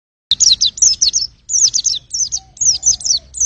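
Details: White-eye song: rapid high chirping notes, each a quick downward-sweeping tweet, delivered in dense bursts with brief pauses.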